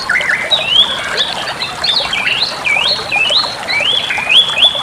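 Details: Bali myna song used as a training model for other birds: varied, high whistled phrases with rising and falling slurs and sharp rapid notes, over a constant hiss.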